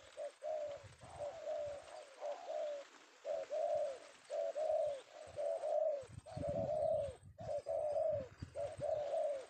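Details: Indonesian spotted dove (tekukur), a male sought by bird catchers and caught in the afternoon, delivers a long series of rounded coo phrases at an even pace, with bursts of low noise midway.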